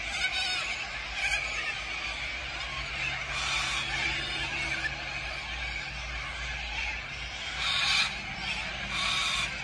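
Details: Massed corellas gathered at Tocumwal on the Murray River: a continuous chorus of raucous, grating screeches from countless birds, with occasional louder swells rising above the din.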